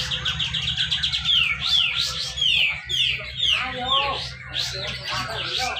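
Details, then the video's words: Grey-cheeked bulbul (cucak jenggot) at a songbird contest in Malinau, North Kalimantan, singing a dense besetan rapet style song used to prompt lazy birds to sing: rapid descending whistled slurs repeated about twice a second, with steady low hum. "cucak jenggot besetan rapet"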